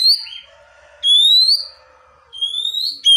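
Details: Kacer (Oriental magpie-robin) calling tones in a tutor recording. Long, pure, slowly rising whistles are repeated about once a second, with faint lower notes between them.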